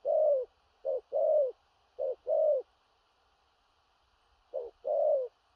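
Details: Spotted dove with a large build, cooing in the powerful 'thổ rặc' style: low hooting pairs of a short note and a longer falling one, three pairs over about five seconds with a long pause before the last.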